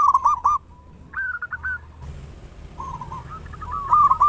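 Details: Zebra dove of local stock, a strong big-voiced singer, used to prompt other doves to sing: clusters of quick rolling coos, some phrases pitched higher, repeated between short pauses over faint background hum.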